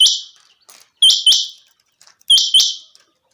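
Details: Clear, sunny weather with a Chinga quail calling loudly: the end of one note, then two pairs of sharp, high, upswept notes with ringing buzzy tails, about 1.3 seconds apart.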